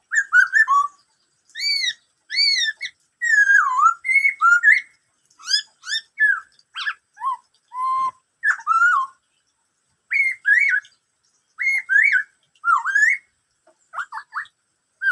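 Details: Black-throated laughingthrush pouring out a long "bắt cô trói cột" style song: clusters of arched, rising and falling whistles with rich overtones, broken by short pauses, over about fifteen seconds.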